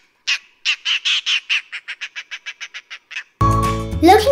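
An Oriental Dollarbird gives a harsh, rasping chatter of about fourteen notes in three seconds, fading and quickening toward the end; music follows.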